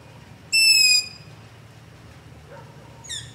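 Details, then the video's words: Long-eared owl begging near a house at night, captured with a ZOOM H5 and LOM Usi Pro microphone: one loud, high, squeaky drawn-out note lasting about half a second, then a fainter, shorter squeak near the end over quiet low background hum. "Long-Eared Owl - Begging Call"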